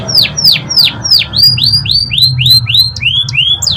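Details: Canary singing a long, lively masteran song: a run of loud, downward-sweeping whistled notes repeated about three times a second, then shorter rising-falling phrases, with a faint low hum underneath.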